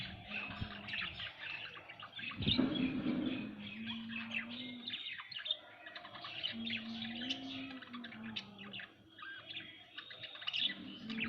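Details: Pet budgerigars chatter continuously in quick, scratchy chirps, with a soft, low, steady tone running under the twittering.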